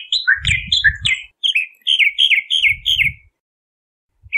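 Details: Bahama mockingbird song: varied rich notes, first swooping up and down, then a run of four similar down-slurred phrases, with low thumping noise underneath.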